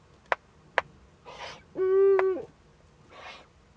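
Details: Eurasian eagle-owl owlet at a nest camera in northern Rhineland-Palatinate, Germany, 15 May 2013, during its first contact. Two sharp clicks, a breathy hiss, then a loud sustained tonal note, followed by another soft hiss.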